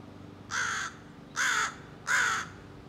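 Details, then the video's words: A juvenile American crow rehearses its scolding and territorial calls, giving three rasping caws spaced about three-quarters of a second apart against faint background hum. "Young Crow Practices Scolding and Territorial Calls"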